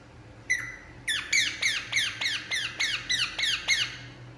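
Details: A single squawk, then a regular run of harsh downslurred squawks, about three per second, from a relaxing Indian ringneck parakeet in a room.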